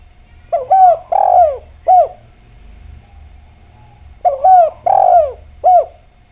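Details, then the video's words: Clear-voiced spotted dove singing as a lure to draw other doves into calling: two phrases of soft, throaty coos, each a short note, a longer swelling coo and two clipped notes, separated by a quiet gap of about two seconds. "Derkuku Djawa Gacor Suara Bening, Pancingan Bikin Ngeplong"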